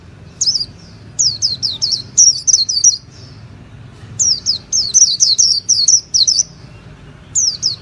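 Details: Japanese white-eye repeating quick groups of sharp, downslurred high chirps, phrases of several notes separated by brief pauses, against a soft low background rumble.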